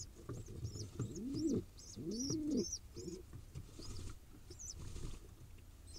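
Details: Wild pigeon nestling in Israel begging while being fed: soft, rising-and-falling coos and wheezy squeals in short phrases, with thin high chirps repeated above them and faint background rustling.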